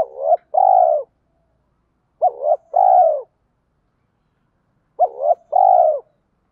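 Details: Lure spotted dove with a 'thổ pha thúc' voice, cooing to goad wild doves into fighting and bring them in quickly. Three evenly repeated phrases nearly three seconds apart, each a brief warbled double note then a sustained mellow coo.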